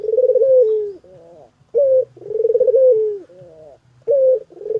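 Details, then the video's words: Dove cooing steadily. A brief sharp opening note leads into a drawn-out, pulsing, throaty coo that sinks in pitch, then soft trailing notes. Phrases repeat every couple of seconds with no other sounds. "Suara Burung Puter Gacorrr"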